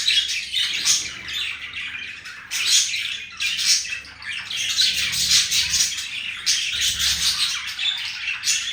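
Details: Indoors, a male green budgie courts a female with a continuous bright, rasping chatter of fast chirps and clicks that swells in loud waves every second or two.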